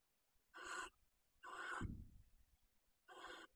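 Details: Breeding pair of common kestrels in a nest box meant for barn owls, Riet Vell reserve, Ebro Delta, Spain, with a field mouse as prey; three rough, breathy screeching calls, a low thud after the second.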